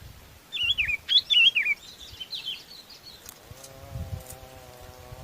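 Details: Sooty-headed bulbul gathering the flock with a string of wavy, bouncing whistles that fade into softer notes, followed by a faint low droning tone.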